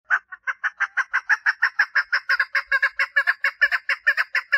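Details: A female chukar partridge in mating call, rough clucks starting singly then running into a continuous fast chatter of doubled chuck notes.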